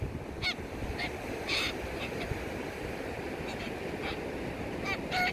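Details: Yellow-crested cockatoos feeding at the ocean give harsh, raspy screeches in short bursts, about one each second, over the steady roar of ocean surf.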